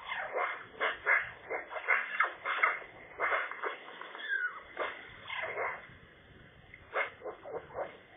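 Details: A Eurasian magpie gives a rambling song of harsh chatters and squeaky, yelping notes, irregular at one or two per second, with one brief rising whistle. Recorded in late February 2022, while magpies contested ownership of a nest.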